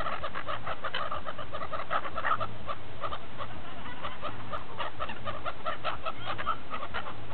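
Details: Feeding gulls at Repino, near St. Petersburg, Russia, crowd together in a continuous chatter of short sharp notes, many birds calling at once above a constant low hum.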